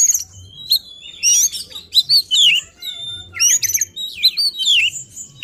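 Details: Oriental magpie-robin in insistent, emotional song showing its repertoire, a song to provoke other magpie-robins; clear high whistles, sharp slurred notes and short chattering phrases in irregular rapid bursts, with quiet low background sounds.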